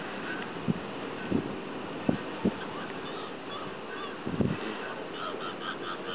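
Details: Slender-billed gulls in Spain give five short, low, nasal calls at irregular intervals, two close together, over a steady background hiss.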